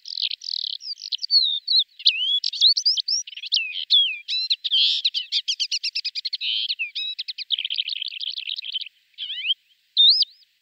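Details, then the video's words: Flight song of a male lesser short-toed lark, with mimicry: a long unbroken high-pitched jumble of whistles, buzzy notes and rapid rattling trills, slowing near the end into a few separate chirps. "Крики и песня самца в полете, включая подражание"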